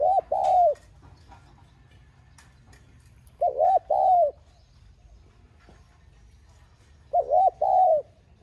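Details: Spotted dove urging call in the clear 'giọng son' style meant to make kept doves coo; three mellow phrases roughly every 3.5 seconds, each two short rounded notes then a drawn-out falling coo, over a quiet background.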